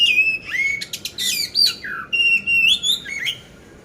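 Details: Oriental magpie-robin of the poci type from Magelang, Central Java, Indonesia, prepared for singing competition, delivering its rough-filled song: a long level whistle, then a quick tumble of sharp chirps and slurred notes, ending in a rising whistled phrase.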